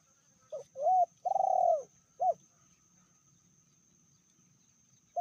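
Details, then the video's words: Spotted dove from Indonesia, a female said to be fiercer than the male, giving a medium-voiced cooing phrase: a short note, a longer slurred coo, a long vibrating coo and a final short note, over quiet hum. "Betinanya lebih ganas dari jantannya/bl suara sedang"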